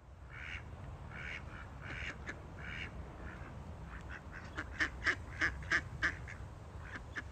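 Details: Ducks feeding give nasal, raspy quacks, first in a slower series and then a quick run of five sharper quacks, over a steady low rumble of background noise.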